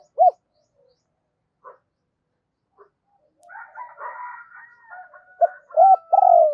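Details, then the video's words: Spotted dove giving its double call, used as a decoy to lure wild doves. Short, low, hollow coos open and close the stretch, while chirps and a thin, steady whistle fill the middle. "Chim cu gáy gọi giọng đôi dùng kích bổi tập mồi hiệu quả"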